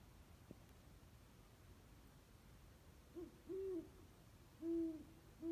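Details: Nighttime owl calling from an old oak tree in a back yard at 2:34 am: after a quiet stretch, a run of low, even hoots about a second apart, over soft background hum.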